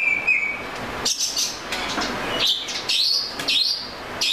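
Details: Oriental magpie-robin singing: a flat whistled note opens, followed by bright upslurred whistles and short warbles repeated at roughly half-second intervals.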